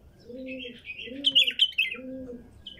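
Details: Female bulbul from the wild sings a loud, tumbling run of bright whistles and warbles while a dove's low, rounded coos repeat in the background.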